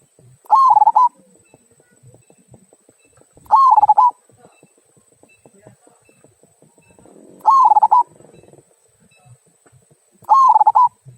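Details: Zebra dove, local type, repeating its 'kung' song used to encourage other birds to sing: four bubbling coo phrases, each a rising note into rapid rolling pulses, every three to four seconds, with faint murmurs and light background noise.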